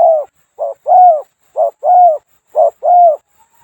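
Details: A moulting Spotted Dove decoy, whose tail feathers are nearly gone, calls in tall grassland at the foot of a hill one evening. It gives soft, low, small-voiced two-note coos, a short note then a fuller one, about once a second, over a quiet background.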